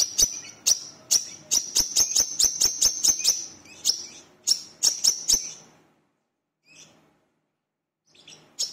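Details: Energetic brown-throated sunbird song, known locally as wiceh or manggar, meant to lure other birds into song. A quick run of shrill, high chirps about three per second is followed by near silence and a faint note.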